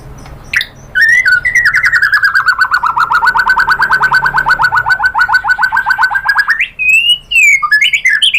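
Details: White-rumped shama song used as a lure to make other shamas answer: a sharp opening note, then a long rapid buzzy trill dipping slightly and rising again for about five seconds, ending in clear whistled phrases.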